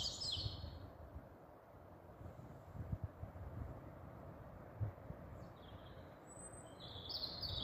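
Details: European robin singing at night under street lights in Staple Hill, Bristol, on 13 April 2020, confused by the lights into thinking it sees the sun; thin high warbled phrases open and close the recording over steady low traffic rumble.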